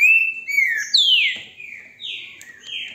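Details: Green-winged saltator, a captive bird in Brazil recorded by its breeder on a phone, sings a continuous run of rich whistled notes, each phrase sweeping downward, strong at first and fading slightly toward the end.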